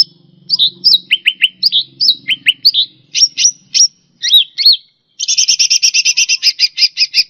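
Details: Cucak rante singing on a tutor track for pet songbirds: rapid series of downslurred and upslurred whistles, then a long fast buzzy rattle of evenly repeated notes, over a low hum at first.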